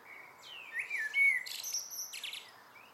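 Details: A common blackbird's evening song: short, mellow whistled notes sliding up and down, then a cluster of high, scratchy twitters closing the phrase.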